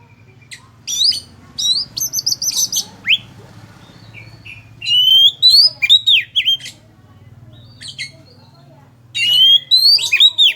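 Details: Oriental magpie-robin of the kendit or poci type, singing actively (gacor) in the loud ngeplong style, used as a lure song: bursts of bright slurred whistles and sharp chirps separated by pauses, over a low steady hum.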